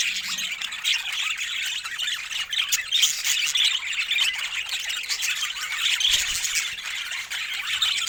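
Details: A steady, high flock chorus of budgerigars: overlapping squeaks, chirps and short squawks with no pause, with a faint low rumble around the sixth second.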